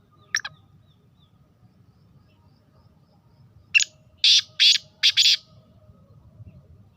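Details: Black francolin female voice: one thin harsh note, three seconds of quiet, then a fast series of four loud, rasping, grating notes, with faint low hum throughout.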